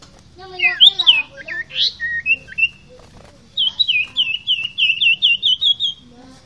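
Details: Common iora in lively 'fighter gacor' song: varied sharp chirps and short whistles, then a run of about eight quick, evenly spaced whistled notes at one high pitch, with a person speaking briefly afterwards.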